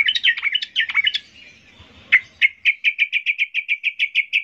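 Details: Sooty-headed bulbul in high-emotion song intended to make other bulbuls reply. Quick chattering phrases open the sequence; after a brief gap, a long, steady string of sharp repeated notes follows at a fast, even pace.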